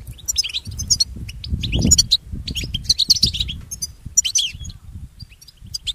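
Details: Training song of the European goldfinch for pet birds: rapid sparkling twitters and clipped whistles in quick groups, a short louder thump near the two-second mark, low background noise throughout.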